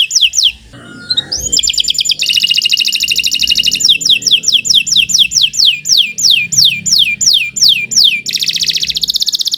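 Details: Canary in long, nonstop song used as a tutor recording: brief falling notes, a dense buzzing roll, then a long run of down-slurred whistles about two per second, ending in a fast trill.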